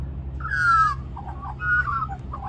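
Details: Begging for mango in a New South Wales reserve, a magpie gives a clear sliding whistle followed by a run of lower, bubbling warbled notes, with a constant low background rumble.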